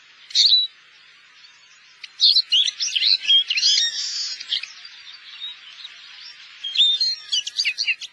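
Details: Wintering Eurasian siskin in Korea: a single sharp chirp, then a pause, then a lively burst of high twittering and wheezy slurred notes that fades, with a few more bright chirps near the end.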